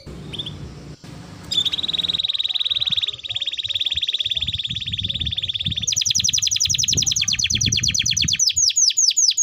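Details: High buzzy trill from a Timbrado canary held for several seconds, shifting into a brighter, faster run of repeated chirps over a low background hum.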